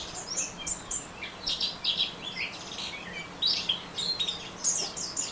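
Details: Orange-headed thrush in ngeriwik song, pouring out fast, high chattering twitters and sharp slurred notes in quick bursts, with a soft low hum underneath.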